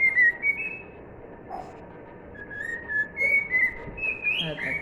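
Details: Cockatiel singing "If You're Happy and You Know It", clean whistled notes at the start, a pause, then a longer stepped run of rising and falling whistles, with a faint room background.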